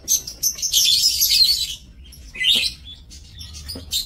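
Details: Lovebirds kept in an aviary, recorded 5 July 2024, give a long harsh, high screeching chatter followed by a few shorter shrill squawks.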